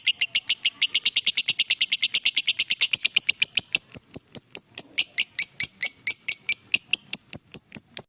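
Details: Long ngekek trill of a lovebird used as a training master recording: fast shrill pulses for three seconds, then slowing into spaced, sharper repeated notes.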